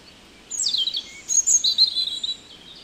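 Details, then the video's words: European robin song recorded in the Netherlands: a high, sweet descending warble followed by a thin trilled phrase after a short pause, clear over quiet surroundings. "One Hour Relaxing Birdsong: European Robin"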